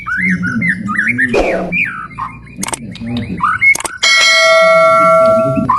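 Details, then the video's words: White-rumped shama giving long 'ngalun panjang' song to stir rival birds; looping whistled phrases with clicks and a burst of noise, cut off after four seconds by a loud steady electronic tone. "MURAI NGALUN PANJANG | SUARA PEMICU EMOSI BURUNG JUARA"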